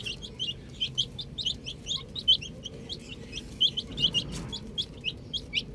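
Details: Chicken chicks with a ball, several loud clear peeps rising and falling, spaced irregularly among quieter overlapping cheeps, plus a brief low rustle near the end.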